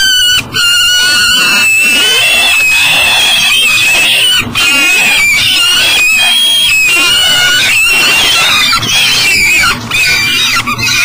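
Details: Peregrine falcon at a nest box on an energy recovery station beside the Mississippi River in Elk River, Minnesota, 7 a.m., with breakfast but unable to get in. Loud, harsh, wailing harmonic calls run almost continuously, overlapping and slightly wavering.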